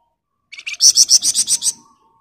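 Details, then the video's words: Flamboyan bird delivering one rapid 'ngebren' burst for training other birds: about nine high, ringing, evenly spaced notes rising in strength within a second, then fading quickly. "Burung Flamboyan Gacor Ngebren Rapat"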